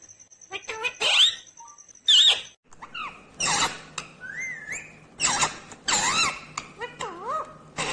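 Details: Indian ringneck green parrot talking: rasping squawky bursts alternate with clear wobbling whistles and a long rising whistled note, chattered in uneven groups over a faint steady hum.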